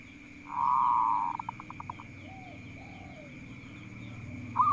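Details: Local zebra dove, kept as a songbird and said to sing readily and provoke rivals. It gives a long, level, wavering coo that breaks into a quick run of short, clipped notes. A steady high electrical whine runs throughout.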